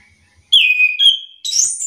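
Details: Answering-song lure of an orange-headed thrush: a clear whistled note sliding down and holding, a second level whistle, then a shrill higher twittering flourish to close.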